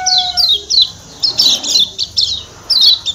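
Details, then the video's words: Lombok white-eye, known as pleci Lombok, 'ciak ciak' call: high, sweeping downward chirps in short clusters, preceded by a steady whistled tone. "Ciak Ciak Kecial Kuning MAKNYUS Ampuh Bikin Kecial Kuning Joss Ngotot NEMPEL"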